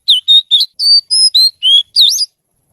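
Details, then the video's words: Oriental magpie-robin, a kept kacer, singing one quick phrase of eight clear whistled notes, level and slurred, ending in a warbled upsweep. "Suara Kicau Kacer Gacor Merdu"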